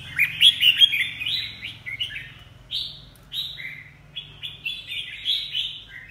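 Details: Caged red-whiskered bulbul in moult, a show-type bird, delivering quick chirpy whistled phrases, some notes sliding down, repeated about three per second, over a low steady hum.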